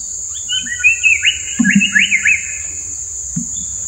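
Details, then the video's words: Indian paradise flycatcher giving a quick run of sharp, slurred notes over about two seconds, against a steady high insect drone and a couple of low thuds. "Bird Call - Paradise Flycatcher"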